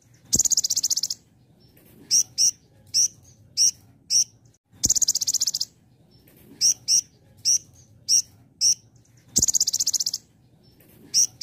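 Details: Sunbird in 'belalang emas' shot style: a thin, insect-like buzzing trill recurs about every four and a half seconds, with bright, clipped high notes scattered singly and in doublets between the trills.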